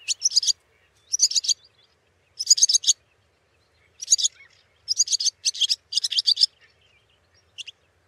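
Barn swallow giving short bursts of high, bright twittering chirps, about half a second each, repeated every second or so against a quiet background.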